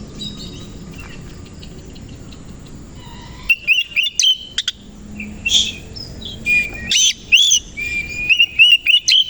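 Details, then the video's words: Oriental magpie-robin of the koci type, in the morning, fluffing and spreading its tail. After three seconds of quiet hiss, it breaks into a burst of sharp, whistled phrases and chirps that slide and jump high. "KACER KOCI NGEBYAK BUKA EKOR DI PAGI HARI"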